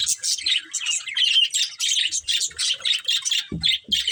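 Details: Budgerigar breeding pair giving a rapid string of bright, rhythmic chirps, about four per second, with a couple of low knocks near the end.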